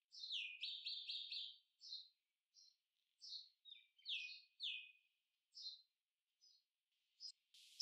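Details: Purple sunbird song: a fast run of sharp, high twittering notes trilled at the start, then scattered chirps and short descending slurs at uneven intervals, ending with a brief burst of noise.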